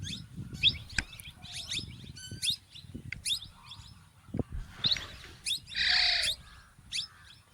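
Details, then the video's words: Plum-headed parakeets, a male and a female, uttering shrill clipped chirps and brief whistles at irregular intervals, ending with a short harsh buzzy burst; faint low rumble underneath. "Plumheaded parrot"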